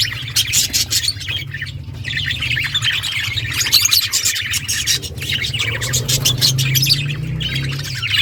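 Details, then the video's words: Several budgerigars in a breeding setup keep up busy overlapping chirps and raspy squawks without pause, steady in loudness throughout, over a low droning hum. "Budgies breeding progress | Birds chirping sounds"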